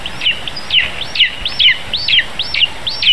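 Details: Lesser spotted eagle nestling at a nest camera in Zemgale, Latvia, on 15 July 2019 around 11 a.m., as an adult brings a vole: thin, high, down-slurred squealing notes repeated about twice a second over a steady background hiss.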